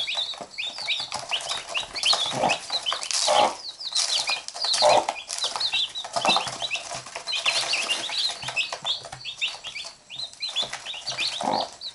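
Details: Chickens, a mother hen and her chicks, the chicks biting and the hen picking at them. Continuous thin chick peeping with scattered deeper hen clucks and scratchy pecking noises.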